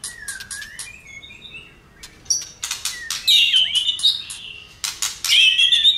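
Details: Agitated white-rumped shama flicking its tail while singing. A soft low whistle opens, then loud bursts of harsh clicks run into bright warbled whistles that wander upward.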